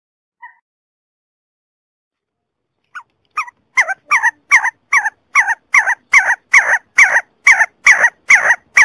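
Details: See-see partridge (Ammoperdix griseogularis), call.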